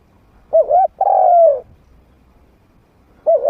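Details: Spotted dove kept as a trained decoy, medium voice, used to draw wild doves in to fight. One phrase: a wavering double coo, then a long coo that slides downward. Another coo begins at the end, with quiet surroundings.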